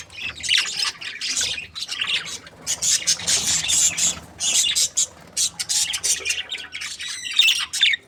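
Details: Breeding pair of budgerigars chirping happily, with rolling runs of harsh, high chatter and sharp squeaks, broken by short pauses and clipped single chirps near the end.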